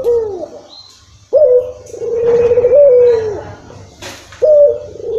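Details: Barbary dove coo played as a lure to get a dove that rarely calls to start calling: a short falling coo, then a long, steady, slightly wavering coo of about two seconds, and a third coo beginning.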